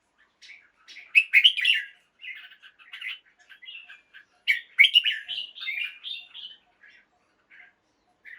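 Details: Caged red-whiskered bulbul singing at dawn to stimulate other caged birds: two long bubbling, chattering warbled phrases with scattered softer chirps between them.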